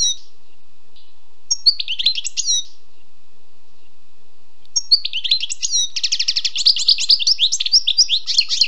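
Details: Song of a wild European goldfinch: short sparkling phrases, a few seconds of quiet, then a dense, fast stream of high, jangling twitters and trilled notes that keeps building to the end.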